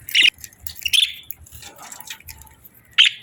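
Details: Budgerigars kept as pets give a few sharp, scratchy chirps spaced by quiet gaps, with faint soft chatter in between and a low background rumble.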